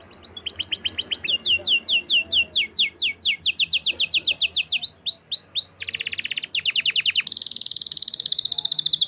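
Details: Canary in full song: repeated descending whistled notes accelerating into a fast run, swooping arched notes, a buzzy roll, and a final dense high chattering trill, loud and continuous.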